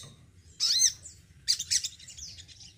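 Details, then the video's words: A male Crimson Sunbird, kept caged, gives two bursts of very high, thin, fast twittering notes, the second longer and trailing off, over a faint low hum. "SOGON JANTAN RAWATAN YANG MENYENANGKAN.....BISA GACOR BAGUS"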